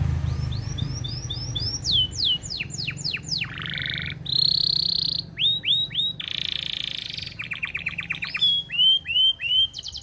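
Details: AF canary singing energetically, used to tutor young birds and bring females into breeding condition: strings of sweeping chirps, buzzy rolls, a sustained rough note and rapid rattling trills, varied from phrase to phrase, over a low background rumble.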